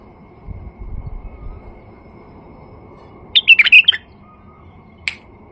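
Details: Male White-eared Bulbul, used as a lure to start other bulbuls singing: after a faint low rumble, one quick liquid warbled phrase of several notes, then a single sharp note a second later.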